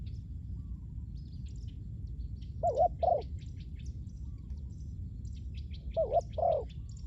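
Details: Decoy spotted dove for luring wild doves, heard as two brief pairs of soft hollow coos separated by a quiet gap, with faint high twittering of small birds and low background rumble.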